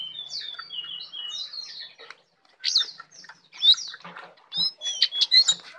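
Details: Brown prinia, tame, singing loudly in full isian style: a run of bright downslurred chirps, then a short pause and rapid bursts of high sharp notes.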